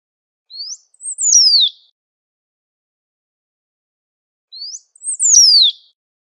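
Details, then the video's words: Great pampa finch singing in nature, repeating the same phrase twice about four seconds apart: a rising whistle followed by a high slurred note dropping into a long descending whistle; quiet background. "SABIÁ BANHADO CHAMANDO E CANTANDO MUITO NA NATUREZA"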